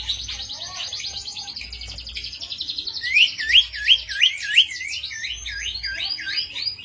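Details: Lure or master song of a Cito bird for training songbirds: a long, buzzy high trill gives way to a rhythmic string of sharply rising whistled notes, about three each second, then softer twittering.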